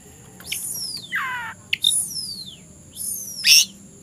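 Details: Oriental magpie-robin, a songbird said to be ready to fight a rival, recorded in the afternoon; three loud descending whistled phrases sweeping down from very high pitch, with a sharp bright note near the end and a faint steady hum behind.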